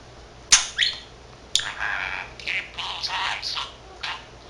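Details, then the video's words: A male pet budgerigar, 13 months old and taught Korean and Japanese words, chatters to himself: sharp clicks open a stretch of buzzy, mumbled, speech-like warbling with uneven breaks. "Talking Parrot 말하는 사랑앵무(잉꼬) しゃべるセキセイインコ"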